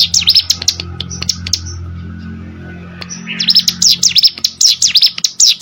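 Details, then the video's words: Plain prinia in rice-field habitat giving bursts of sharp, high chirps and fast buzzy trills, a quieter pause in the middle, then renewed rapid chirping; a steady low hum runs underneath. "burung ciblek sawah"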